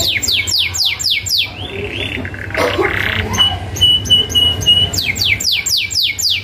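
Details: Singing canary, 'gacor' rolling fill style for youngsters to imitate: bursts of steep descending high sweeps at about four a second, a brief scratchy interlude with a steady high tone, then the sweeps return.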